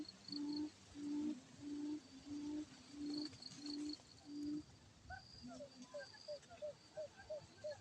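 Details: Quail used as a lure for trapping, giving a fast fighting call: low hooting notes repeated about twice a second, then higher, shorter chirping notes in a quicker series, with a faint steady insect hum behind.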